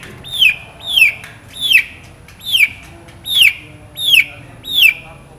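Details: Long-tailed shrike in lively, chattering song packed with mimicked phrases, used as a tutor recording: seven sharp, clear downslurred notes repeated almost evenly, under a second apart, over a quiet background.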